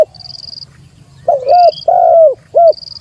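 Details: Spotted dove challenging a rival, lure recording: one husky coo phrase, a doubled note, a long drawn-out falling coo and a short closing note, with thin high whines sounding before and after.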